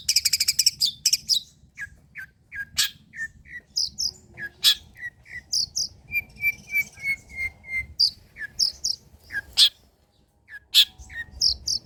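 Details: Long-tailed shrike singing old-style material, used for prompting and tutoring. A quick burst of high chatter, then spaced short whistled notes at varied pitches, a descending series of clear whistles, and scattered sharp high calls.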